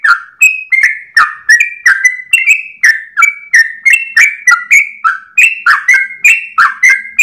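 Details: Dawn song of a tail-wagging yellow-vented bulbul, long and unbroken, meant for training cage birds: a rapid run of clear whistled and chirpy notes, falling slurs following rising ones, about three per second without pause.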